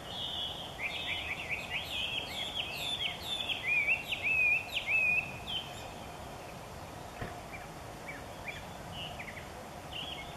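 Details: A Chinese hwamei sings loudly in the morning near a forest in Japan, as if practising its voice, pouring out a fast run of varied whistles and slurred notes for about five seconds, then scattered calls over hiss.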